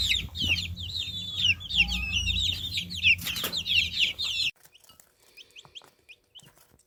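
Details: Baby chickens peeping in a busy flock of rapid, high, wavering chirps for about four and a half seconds. The chorus then drops away, leaving a few faint, scattered peeps and soft taps.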